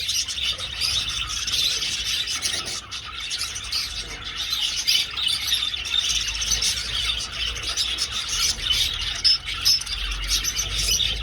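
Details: Budgerigars in flight around an aviary give a dense chorus of squeaky chirps and squeals, with a few louder squawks rising above the steady chatter.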